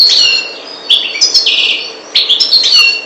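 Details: European goldfinch of the Maghreb subspecies parva singing short high twittering phrases, with liquid chirps and a buzzy, rasping note near the middle, broken by brief pauses.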